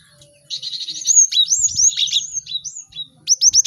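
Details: Caged cinereous tits in a crowded chorus used for song training: a fast buzzy trill, then tumbling high whistled slurs and chatter, ending with a run of four sharp repeated notes.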